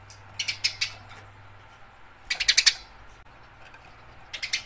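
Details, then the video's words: A house sparrow fighting, with short clusters of shrill, buzzy chirps in three bursts separated by quiet gaps of over a second. "Suara burung gereja gacor tarung"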